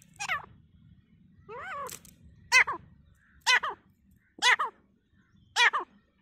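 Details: Grey francolin fighting in forest, calling in loud, nasal, sharply arched notes repeated about once per second, each note stacked with harmonics, faint low rumble early on.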